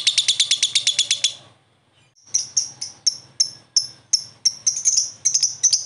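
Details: Young lovebird answering another lovebird: a quick rattling burst of about a dozen notes, a pause of silence, then spaced bright high chips that speed up toward the end.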